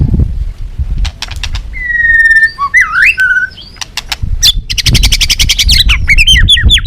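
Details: White-rumped shama song of the balak 6 style, used as a lure for catching birds: sharp clicking ticks, a long level whistle, swooping slurred notes, then rapid trilled bursts and bouncing whistled phrases over low background rumble.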